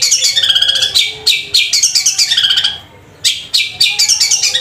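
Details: Cendet, a long-tailed shrike, delivering loud, sustained 'gacor' song with sparrow ('gereja') sounds woven in: fast high chirps and rattling trills in busy bursts, a short silent gap, then renewed chattering phrases.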